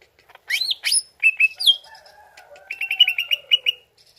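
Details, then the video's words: Greater green leafbird song used as a lure to prompt a reply: sweeping whistled notes and slurred phrases near the start, a thin low tone in the middle, then a run of quick repeated chirps. "CUCAK IJO LANGSUNG NYAUT DENGAR PANCINGAN INI"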